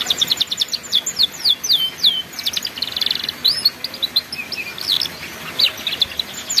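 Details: Ngeriwik-style canary song used as a master for young canaries learning: a fast sequence of sharp high chirps, a buzzy rattle midway, then scattered squeaky notes and short trills.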